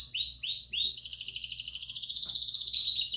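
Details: Bell-style song from Belgian canaries in an aviary, meant to stimulate chicks: three or four swooping upslurred whistles lead into a high, rapid, rolling trill that carries through to the end.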